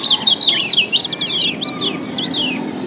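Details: Yellow white-eye (kecial kuning) from Lombok, a lure recording for training other white-eyes: rapid, high, twittering song of quick slurred chirps and descending notes, continuous for three seconds over a soft low hum.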